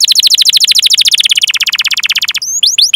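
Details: Canary song used as training to stimulate other canaries to sing: a long rapid roll of high, downward-sweeping chirps, about fifteen per second, slowing into a few separate rising and falling notes at the end.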